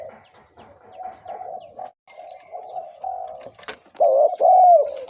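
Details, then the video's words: Spotted dove decoy bird, 2–3 years old: soft, steady low cooing builds to two loud, full coo notes at the end. "นกต่อ เสียงใหญ่(เจ็กหัวโต)และเสียงกลางกับเสียงเล็ก จ้วดๆ ครับ"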